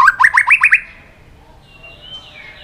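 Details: White-rumped shama singing competitively with many voices: a quick run of six rising whistled notes, then faint, thin, drawn-out whistles over a quiet background.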